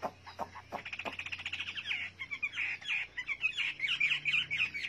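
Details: Chinese hwamei singing: a rapid run of chirpy notes that builds into dense, varied warbled phrases, with a faint low hum underneath.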